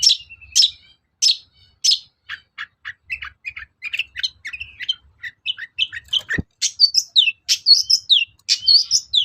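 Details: Long-tailed shrike song used to provoke other shrikes into singing: varied scratchy notes, then a long, busy, jumbled chatter of short high notes, becoming louder and more slurred near the end, with one sharp click.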